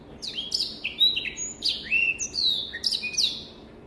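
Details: A Black-throated canary sings a somewhat softer sequence of long drawn whistles and falling slurs, with a few harsh rasping notes, against faint background hiss.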